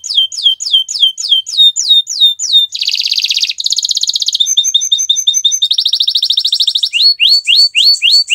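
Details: Energetic canary song recorded on a Friday morning, varied and melodious: quick repeated downslurred whistles give way to several dense, rattling high trills in separate blocks, ending with a series of rising, swooping whistled notes.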